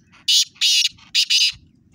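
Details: Black francolin giving its harsh, grating call: four loud, rasping, broadband notes in two pairs, the second of each pair longer, over about one and a half seconds, with faint low rumbling between.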